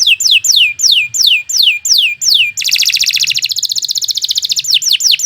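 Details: Canary in full, lively song used for training: a run of seven descending whistled sweeps, then a long fast buzzy roll that drops in pitch, ending with more quick sweeping notes.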